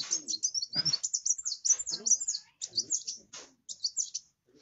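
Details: Grey-cheeked bulbul, local name kolibri wulung, singing vigorously, used to prompt other kowul to sing: dense, hurried high-pitched chattering trills in quick runs, broken by two short pauses.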